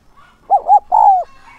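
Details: A caged decoy spotted dove calling to attract wild doves gives a single mellow phrase: two short, rounded coos followed by a longer sustained coo that slides down at its end. Faint bird notes sit before and after.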